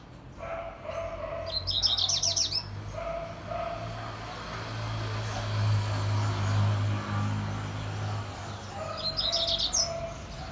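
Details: A Double-collared seedeater in fast song gives two short bursts of quick, high, buzzy twittering phrases, separated by a long pause, over a steady low mechanical hum.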